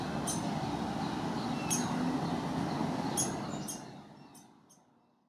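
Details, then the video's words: Downy woodpecker chick poking its head from a nest hole in a River Birch grove in Hermann Park, Houston, Texas, gives high, thin, short begging peeps about a second apart, telling its parents it is hungry, over a steady low rumble. "Downy Woodpecker baby calls for parents to bring food"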